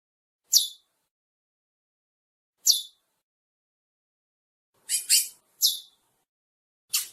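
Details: A pair of Chestnut-bellied Seed Finches giving brief, sharp, high chirps, six in seven seconds at uneven intervals, two close together, with silence between.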